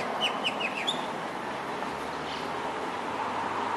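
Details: Austral blackbird, known as tordo, giving a quick run of four clear descending slurred notes ending in a brief upward whistle, over steady broadband background rumble.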